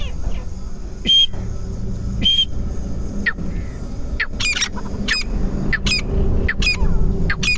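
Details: Grey francolin (titar) calling, harsh metallic squawking notes, two spaced about a second apart, then a quickening run of sharp paired notes roughly every 0.7 seconds, over a steady low rumble like an engine or traffic.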